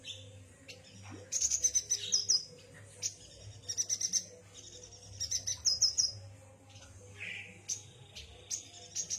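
A yuhina gives high, thin, twittering chirps in quick bursts, a new burst roughly every second or two, over a faint steady low hum.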